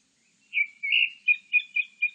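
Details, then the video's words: Grey-backed thrush song from 2020: a smooth whistled note and a longer warbled one, then four quick, evenly spaced short whistles on a steady pitch, all in a quiet background. "되지빠귀, 여러번 듣기, 곤충소리, 새소리"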